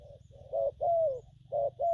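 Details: Spotted dove, newly caught, cooing in gù phóng, gù kèm and gù lăn styles: soft lead-in notes, a short coo, a long sliding falling coo, then another short-long pair, with a steady low hum.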